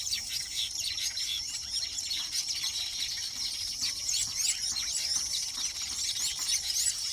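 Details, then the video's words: Weaver birds nesting and mating during the mating season: a dense chorus of high, squeaky chirps and twittering notes from many birds that overlap without pause, over a steady high insect-like hum. "sights & sounds of weaver birds nesting & mating"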